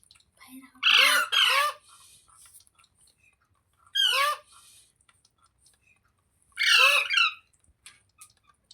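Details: Parrot kept as a pet, described as a talking parrot: three loud harsh screeching calls, each a pair of rasping downward-sweeping notes, spaced about three seconds apart, with faint background clicks in between.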